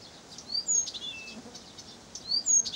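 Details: Song of a Blyth's reed warbler recorded in Pavlodar, made of sharp high whistles and quick ticking notes, one drawn-out steady whistle, bursts of loud chattering twice, steady soft hiss behind.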